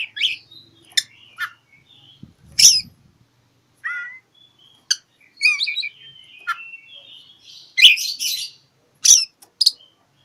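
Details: Oriental magpie-robin calling out for an opponent, used as a lure for mute birds: varied short whistles, downslurred notes and harsh scratchy chips in irregular bursts, with a brief rustle early on.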